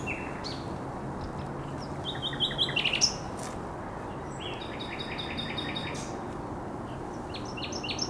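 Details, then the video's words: Common nightingale song from the Żerań Canal headland on 1 May 2021: a quick run of high notes, a sharp accent, then rhythmic repeated chirping phrases and short high flourishes over continuous low noise. "Śpiew słowika rdzawego"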